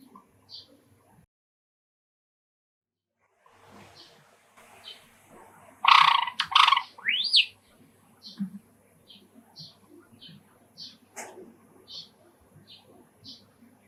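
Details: Caged-home Java sparrow singing while sparrows call from a park outside an open screened window; quiet start, then a loud burst of dense chirps and a rising slurred whistle, followed by soft evenly spaced chirps.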